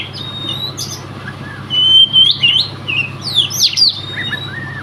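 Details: Caged Oriental magpie-robin, a competition bird said to be unbeaten in a provincial audition in Riau, Indonesia, giving clear high whistles with level and upslurred notes and sharp sweeping phrases over faint background hum.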